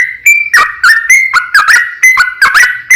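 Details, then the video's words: Yellow-vented bulbul pouring out lively gacor song, long-running 'ropel panjang' type used to draw replies from other bulbuls; short warbled whistles, some level, some dipping, about one phrase per second. "JADIKAN SUARA trucukan gacor ROPEL PANJANG pancingan trucukan agar bunyi burung trucuk gacor NYAUT"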